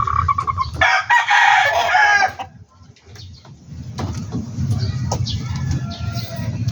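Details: Chicken on a backyard poultry farm giving one loud, harsh, drawn-out crow lasting over a second, followed by quieter background with a low steady hum.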